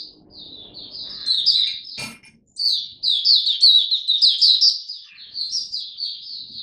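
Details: Captive Oriental white-eye, 26 November 2022, giving a 'Buka Sing Raja' song display: fast high warbling chatter broken by a sharp knock and brief pause, then a loud continuous run of bright twittered notes.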